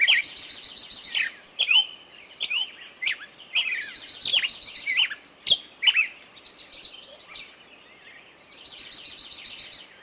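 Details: Birds singing in woodland, quick sharp notes and whistled slurs with buzzy trills, a quieter pause near the middle before the chorus resumes.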